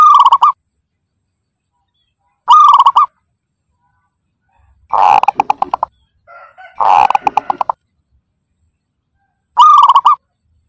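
A zebra dove gives short, bright cooing notes and longer bursts of rapid, stuttering staccato coos.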